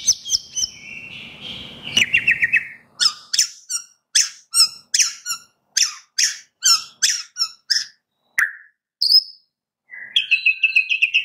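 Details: Caged white-rumped shama singing to prompt other caged birds: a long series of sharp, rapidly repeated high chips with short whistled notes, in an indoor room.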